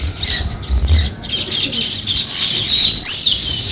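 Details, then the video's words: Sparrow starting to build a nest, giving high, quick chirps that grow denser and louder in the second half, with a few soft low thumps early on. "Sparrow Chirping Sounds | Sparrow start to Build Nest"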